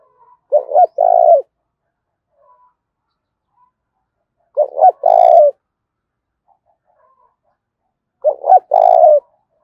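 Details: Spotted dove giving intense 'thúc' fighting calls in the thổ pha đồng voice style: three hoarse cooing phrases, each two short notes and a long throaty coo, repeated about every four seconds, nothing else audible.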